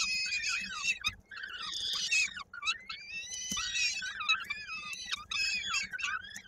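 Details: Koszalin, Poland, 16 May 2022: a peregrine falcon chick at the nest during feeding by the female, a leg stuck in a beak, utters continuous harsh wavering wails with few breaks.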